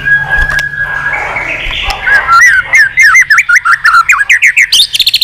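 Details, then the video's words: White-rumped shama, a wild-caught bird singing many voices in contest, starts with a thin steady whistle over low hum, then a fast chain of short looping whistled notes. "chòe lửa già rừng giọng chất. kích chòe lửa sổ nhiều giọng. chòe lửa căng lửa tạch đập đuôi liên tục"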